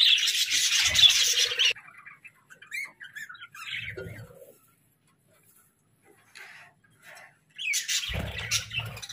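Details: Pet budgerigars burst into busy warbling chatter, fall nearly quiet with a few isolated chirps and soft rustles, then break into a loud chattering burst again at the end.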